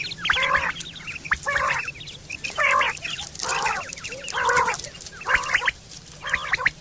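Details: Quail calling in September 2023, a sound used for hunting and mating: seven rough, nasal, gargled bursts at about one-second intervals, each followed by short chirps.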